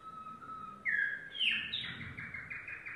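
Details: A domestic Belgian canary (Serinus canaria domestica) sings a bright run: a steady whistled note, then sharp rising sweeps, then a fast trilling series of high chirps.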